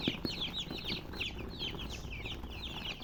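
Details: A brood of chicks chirps in quick succession, shrill downslurred peeps crowding together, with a couple of faint low taps near the start.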